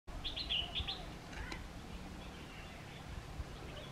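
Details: A Red-vented bulbul, feeding at breakfast time near a house, gives a quick burst of five bright, chirpy notes in the first second, then a few fainter chirps, over a low outdoor rumble.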